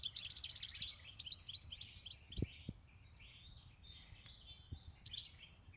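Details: European goldfinch kept for eight years. Opens with a dense, high, tinkling twitter, then a string of slurred chirps and buzzy notes that fade into quieter scattered calls.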